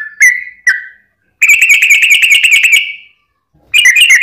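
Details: Long lure song of a yellow-vented bulbul (trucukan), used to make other bulbuls sing: two slurred whistles, a pause, then a rapid bubbling whistled trill lasting over a second, followed by silence and another burst.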